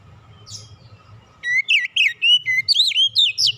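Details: Relaxed Oriental magpie-robin song played to prompt other birds to sing: a soft high note, then a run of loud whistled phrases, some flat and some looping up and down, in quick succession.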